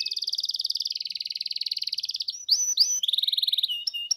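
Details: Canary singing in a recording meant to provoke other canaries into song: a long rapid rolling trill of high notes, then sharp upward slurs and a second quick trill ending in clipped whistles.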